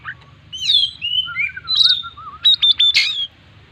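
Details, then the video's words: Kept Oriental magpie-robin in full varied song: slurred whistles and a long wavering lower whistle run beneath higher notes, ending in a quick series of four sharp clipped chips and a harsh burst, with a faint hum behind. "burung Kacer gacor full isian"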